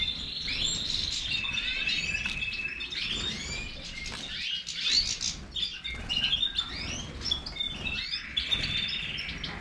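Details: Goldfinch, Major form, twittering and trilling in a high, busy song with drawn-out buzzy notes, alongside soft fluttering and tapping sounds.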